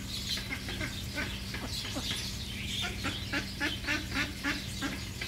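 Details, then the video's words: Egyptian geese giving harsh, rapid honks in quick runs, about three or four a second, with some louder bursts near the end; thin high chirping from other birds and a steady low electrical hum underneath. "الأوز الفرعوني - Egyptian geese"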